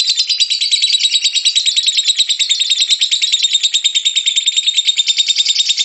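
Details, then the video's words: Lovebird song, played so lovebirds join in: steady, even chattering of harsh, buzzy notes repeated about three times a second with little variation. "SUARA BURUNG LOVEBIRD, PASTI BUNYI MENDENGAR VIDEO INI.. LOVEBIRD SINGING"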